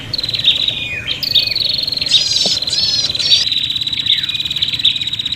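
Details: Prinias calling agitatedly as in a fight, used for luring: a continuous shrill buzzy trill punctuated by sharp chirps about every second and a cluster of rapid squeaky sweeps, with a low hum below.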